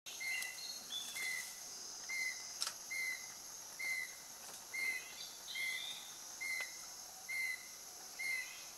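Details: Buff-breasted babbler at Phu Khieo: a clear, short whistled note, slightly rising then dropping, repeated about ten times at a steady pace of roughly one per second, with faint higher chirps and a constant high insect hiss behind.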